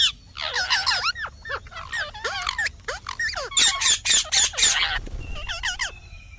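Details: Green parrot chattering in warbled, wavering notes that build into a run of loud harsh screeches, ending with quieter whistles and squeaks.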